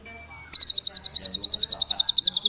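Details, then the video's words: White-rumped shama in an agitated, raging mood, used to provoke other shamas into energetic singing: a sudden loud high trill of about twenty rapid identical notes, eight per second, after a faint whistle, with low background hum. "Murai Batu Ngamuk Rekomended untuk Pancing MB lain ikut Gacor + Fighter"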